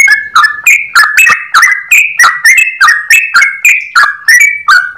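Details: Clear-voiced yellow-vented bulbul in continuous 'ropel' song, a long rapid run of short, ringing, down-slurred notes repeated steadily about three times a second.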